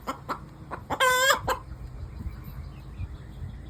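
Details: After laying an egg, an Easter Egger hen gives a few soft clucks, then one loud, raspy, drawn-out squawk and a final short cluck before the sound fades.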